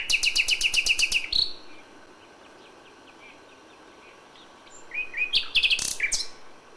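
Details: Common nightingale singing at dawn in May, original recording. A rapid burst of about ten sharp, high repeated notes ends in a brief flourish, followed by three seconds of near silence, then another quick phrase of ringing, buzzy notes.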